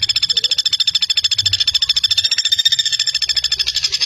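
Common flameback giving a fast, dry, high-pitched rattling trill, about ten even notes per second, running without a break; nothing else is heard.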